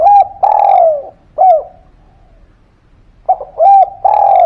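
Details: Lure cooing of a spotted dove meant to make reluctant birds call back: clear, mellow coos in two bursts separated by a pause, each with a short note and drawn-out, gently falling tones.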